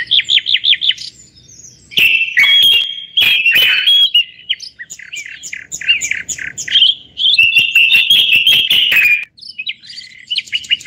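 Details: Moroccan common bulbul on a live broadcast: a quick series of rhythmic chirps opens, followed by long rich warbled phrases interrupted by loud clicks, some higher twittering, and a final set of repeated notes.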